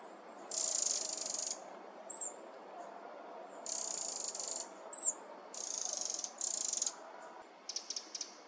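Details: Eurasian wren (Troglodytes troglodytes) chicks, met in summer, loud and unafraid, give begging calls: harsh, high hissing bursts about a second long, repeated every second or two, with a few brief thin chips between them.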